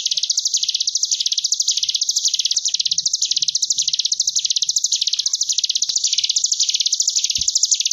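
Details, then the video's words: Sunda bush warbler (ciblek gunung) tutor recording for caged birds, ngebren gelombang tawon style: an unbroken, rapid, shrill pulsing trill rising and falling in regular waves about twice a second, with faint clicks in the background. "Cigun Ngebren Gelombang Tawon Jeda || Masteran Ciblek Gunung 30 Menit"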